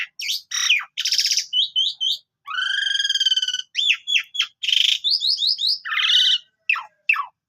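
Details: Asian pied starling delivering melodious 'gacor' chatter: rapid slurred whistles, a long low rattling buzz, hooked upslurred notes in quick series and rough harsh notes, phrases separated by brief silences.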